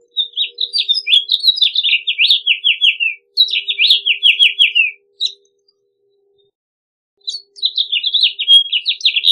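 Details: House Finch singing in rapid warbled phrases of high, descending slurred notes, two long phrases back to back, then a two-second silence before another phrase begins; a faint low steady hum underneath.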